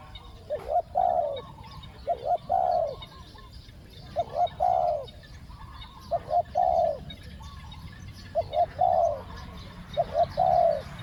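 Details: Spotted dove calling as a decoy to lure wild doves in the khu-ang two-word style. About six phrases come at steady intervals, each a pair of brief coos and then one sustained, soft, low hoot.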